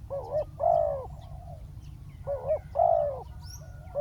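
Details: Spotted dove used as a decoy on the ground, calling down a wild dove: a short wavering note followed by a longer, hoarse descending coo, the pair given twice with a low steady hum beneath.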